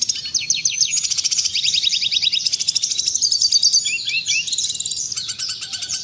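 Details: Clean red siskin song for tutoring caged birds: a continuous rush of rapid high buzzy trills and twitters, with slurred notes partway through and no break across six seconds.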